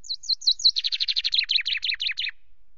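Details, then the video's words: On 24 May a common chaffinch sings from a camera perch at Loch Garten between bouts of preening: four high slurred notes, then a rapid dense trill and a descending series of sharp chirps. "Chaffinch preened and sang on the cam perch"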